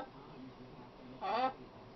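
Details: Female pet macaw that talks a lot, giving a single short harmonic, voice-like syllable about a quarter second long, against a quiet room hiss.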